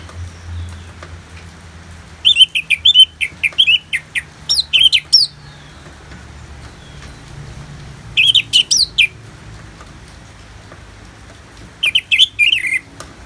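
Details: Ngeplong song of an Orange-headed thrush, with rain sounds for therapy: a long run of quick, varied whistled notes, then two shorter bursts after pauses, with a faint low hum throughout.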